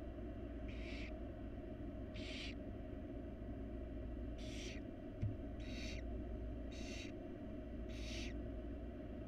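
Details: Hungry barn owl chicks, wild birds in a monitored nest box, beg while their mother feeds them: seven short, rasping hisses in about nine seconds, with a single click, over a continuous low hum.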